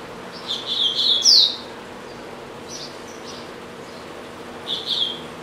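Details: Caged double-collared seedeater singing at home: a burst of buzzy high notes with one sharp downslurred whistle, then a short gap and a softer final buzzy phrase.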